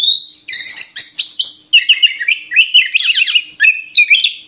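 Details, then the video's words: Oriental magpie-robin, known locally as murai kampung, singing a rich, varied run of loud whistled and chattering notes, phrases changing rapidly with sweeping rises and falls, delivered almost continuously with brief gaps. "Suara Burung Murai Kampung"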